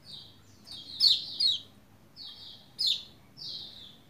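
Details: Lombok white-eye song used to spur quiet white-eyes; high sweeping slurred notes with two strong bright bursts and softer trailing phrases, low hum in the background.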